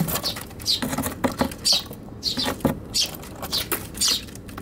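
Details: Eurasian tree sparrows fighting inside a box on a balcony on 7 July 2021: short, harsh chirps, about two each second, over scratchy rustling and patter in a small enclosed space.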